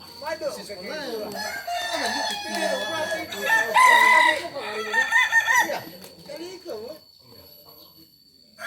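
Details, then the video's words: Kokok Balenggek rooster of Solok, West Sumatra, whose crow climbs in levels from three up to nineteen; several overlapping crowing phrases build to a loud peak midway, then fade into near quiet with faint clucks. "Ayam kukuak balenggek ayam asli solok sumbar"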